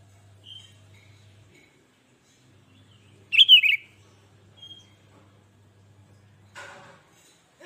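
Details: One short, bubbly, downward-slurred phrase from a sooty-headed bulbul, a recording played to stir other bulbuls into calling, set in long quiet stretches with faint hum and a soft rustle near the end.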